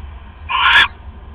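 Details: Owl at its nest at 3:40 AM on October 5, 2015, as a mate brings in another rat. A single loud, harsh hissing screech lasts under half a second, with a low steady hum behind it.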